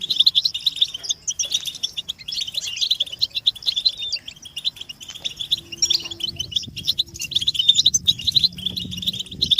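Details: Group chirping of European goldfinches, used to rouse captive males into song: a continuous, busy stream of high, liquid twitters and buzzy trills, fluctuating in loudness with quick overlapping phrases, plus a faint low hum underneath.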